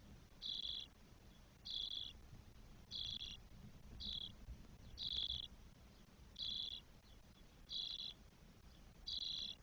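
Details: Spotless starling nest in Spain with four nestlings aged twelve days, 1 June 2022: harsh, buzzy hisses repeated steadily about every 1.3 seconds, eight bursts in a row, with a faint low hum underneath.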